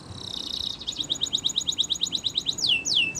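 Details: Canary, Spanish Timbrado song for training: a fast trill of repeated notes high up, then two sweeping down-slurred whistles near the end.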